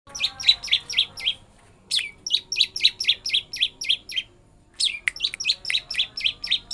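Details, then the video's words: Long-tailed shrike in full song, rolling out a lovebird imitation: fast runs of sharp, high chirps about four per second, broken by two short pauses, with clean strings of bright squeaky notes. "Pentet full ngeroll love bird"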